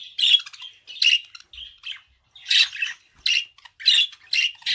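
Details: Budgerigar chattering: raspy squawky notes and warbled fragments in quick bursts, with a short quiet gap in the middle.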